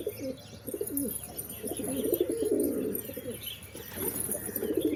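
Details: Pigeons giving continuous low cooing, overlapping throaty rolling phrases that rise and fall for several seconds, with scattered faint chirps above and a hissing background.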